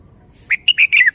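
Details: Red-whiskered bulbul singing a short phrase of four mellow whistled notes, rising then ending in a falling slur, in a quiet setting.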